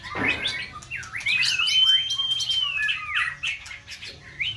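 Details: White-rumped shama, a caged contest bird in breeding season, delivering a long level whistled note arcing over busy chatter, with rapid clicks and bright short phrases.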